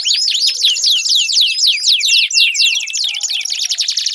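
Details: Canary singing as a lure for a canary that has stopped singing: fast rolling trill of high swooping notes, steady and unbroken, with faint lower chirps behind.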